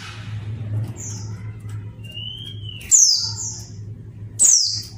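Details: Female mountain white-eye calling to stir quiet males into song: a thin drawn-out whistle, then two piercing high chirps sliding downward, set against a constant low background hum.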